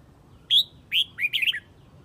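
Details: Close, loud Red-whiskered bulbul from Huě calling its flock: one pure whistle, a second downslurred note, then a fast warbled run of three to four tumbling notes, all bright and clear.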